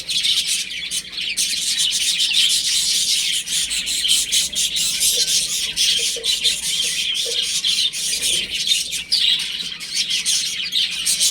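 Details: Home-kept chicks at play, a loud unbroken chorus of high peeping, with a few lower squawk-like sounds mixed in midway.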